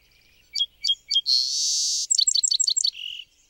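A Song Sparrow sings three sharp, high, slurred introductory notes, a long buzz, a quick stuttering trill, and a lower buzzy ending, all clear with no other sounds.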